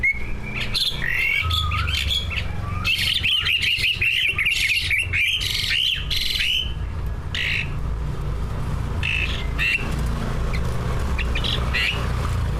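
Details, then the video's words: Greater green leafbird song from two caged prize birds full of mimicked phrases, played to get other leafbirds singing: rapid chattering runs of rising notes, harsh squawky bursts and scattered chirps over a continuous low hum. "Kicau burung cucak ijo gacor, prestasi, full masteran. buat pancingan dijamin ikut Gacor"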